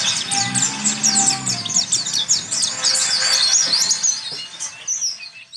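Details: Tutor recording of warbling white-eye (pleci) song for training birds: quick, high chirps and twittered notes in a continuous rapid stream, fading toward the end, with a soft low tone early on.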